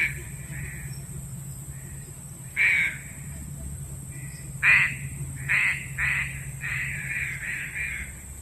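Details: Green pigeon call for luring birds into traps, starting with faint notes, then louder wavering and buzzy notes that speed into a quick stuttering run near the end, over persistent electronic whine and hum.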